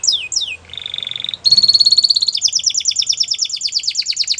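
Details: Spanish Timbrado canary singing for training: two falling whistles, a soft low-pitched rolling trill, then a bright steady metallic trill shifting into a fast clipped rattle.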